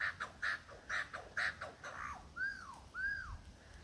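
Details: Courting a female in the Dandenongs, a male superb lyrebird gives four harsh, evenly repeated notes roughly half a second apart, then two long arched whistles that rise and fall.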